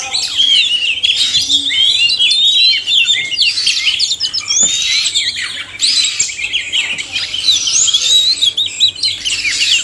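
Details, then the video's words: Oriental magpie-robin (kacer), male and female singing together, meant to stimulate reluctant birds into song: a dense, continuous stream of rich whistles, trills and chattering phrases, varied and fast, with little pause throughout. "suara kacer/sekoci jantan dan betina merangsang bunyi"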